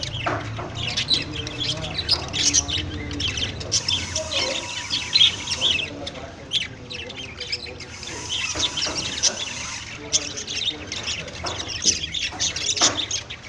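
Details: Budgerigar (Melopsittacus undulatus), warbling chatter: courtship.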